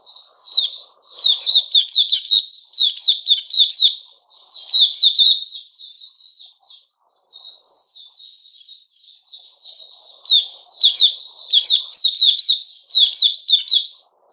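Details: Sooty-headed bulbul, recorded 10 July 2021, delivering long, energetic runs of rapid chirps and twittering notes in repeated bursts separated by brief silences.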